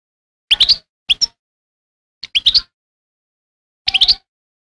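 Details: European goldfinch giving short bursts of bright, twittering notes in four separate groups with silent gaps between, clean background.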